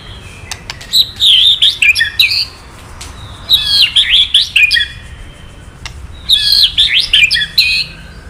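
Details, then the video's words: Male murai batu (White-rumped shama), provoked by recorded kretekan calls, sings three bursts of rich, chattering, high warbled phrases spaced roughly two and a half seconds apart. "Suara KRETEKAN BURUNG MURAI BANGKITKAN EMOSI MURAI JANTAN KELUARKAN ISIAN! MURAI DIAM JADI NYAUT"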